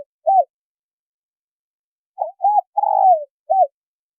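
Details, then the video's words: Female spotted dove calling to rouse a male into calling. After a lone short coo, a complete phrase follows: two brief hooted coos, a drawn-out tremulous coo sliding downward, and a clipped closing coo. The background is clean. "Tiếng chim cu gáy mái kích trống gáy gù"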